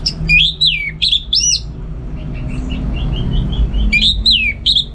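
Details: Orange-headed Thrush, a caged contest bird, gives loud, downward-sweeping whistles, then a soft series of quiet rhythmic chirps, before more strong sweeping notes; a low hum runs throughout.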